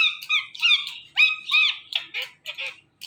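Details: Ringneck parrot kept as a pet, chattering at its reflection in a phone: rapid, nasal, speech-like syllables, some rising and some falling, about three per second, ending in a short pause.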